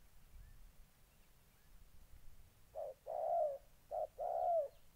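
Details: Spotted dove, molting decoy meeting a fight-eager wild bird in Gia Lai, Vietnam, August 2020: quiet background for nearly three seconds, then two low cooing pairs, each a short note and a longer falling one.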